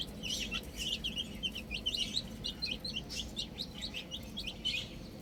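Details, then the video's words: Chicks playing with a ball keep up a dense chorus of high, quick, descending peeps, the calls crowding together almost without pause. "Cute Little Chicks Chirping Sounds"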